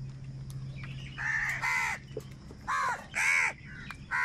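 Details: Crows squabbling over food, loud harsh caws in a burst of five, spaced roughly half a second to a second apart after a quieter opening, with a faint low hum beneath.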